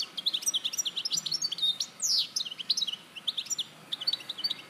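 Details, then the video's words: Larache, Morocco, 2014 recording of a European goldfinch: continuous rapid twittering with a buzzy downslurred note near the middle, bright high chirps throughout. "Jilguero Larache 2014"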